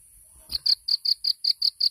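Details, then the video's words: Sunbird, local name 'kolibri ninja', in a masteran recording of 'tembakan' song: eight bright, high, evenly spaced chip notes repeated about four times a second after a short silence. "SUARA BURUNG KOLIBRI NINJA JUARA"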